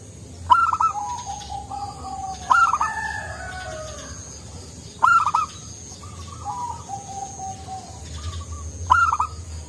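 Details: Local zebra dove, a frequent singer with a soft voice, perhaps a female calling a male; repeated cooing phrases, each a sharp higher note then a run of lower, descending coos, roughly every two to four seconds, over steady low background hum.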